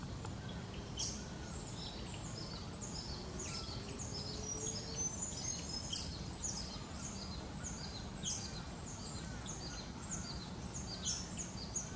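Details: Eastern Spinebills flitting through foliage in the Australian bush give rapid, high, piping chips in uneven bursts throughout, with other birds around, over a steady low rumble of wind or distant traffic.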